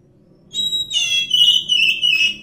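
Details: Brief phrase from a wild Oriental magpie-robin: a thin steady whistle breaking into rich, rapidly warbled notes, over a faint low background rumble.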